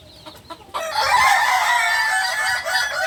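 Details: Beginner Balenggek rooster, a native chicken of Solok, West Sumatra, gives a loud, sustained, harmonic-rich crow that starts abruptly after a few soft knocks and holds steady for over two seconds.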